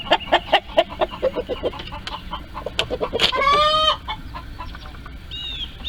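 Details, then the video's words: Hens and roosters in a barnyard coop, noisy while laying eggs: fast clucking builds into a loud, drawn-out wavering squawk lasting almost a second, followed by fainter clucks and a thin call near the end. "Screaming Chickens, My Crazy Chickens love to Scream, The Funny Noises Chickens Make"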